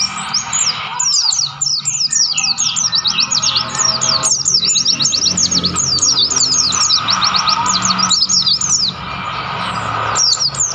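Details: Mountain white-eye singing freely in the wild on Mount Lawu, Tawangmangu. A long outpouring of very rapid, high, chirping notes in dense rolling phrases, with only a brief dip near the start, over a steady low background.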